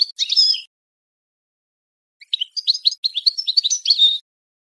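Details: Bright European goldfinch song for encouraging breeding: a short twittery phrase, a pause, then two seconds of rapid chirps and slurred whistled notes ending on a falling tone.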